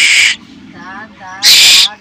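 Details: Hungry koel nestling begging: two loud, grating screeches about a second apart, with a man's voice murmuring between them.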